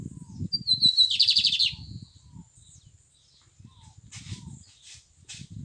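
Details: Lined seedeater singing: a thin whistled lead-in, then a fast, bright, buzzy trill of rapidly repeated high notes lasting under a second, followed by softer scattered high notes, with a low murmur of background noise underneath.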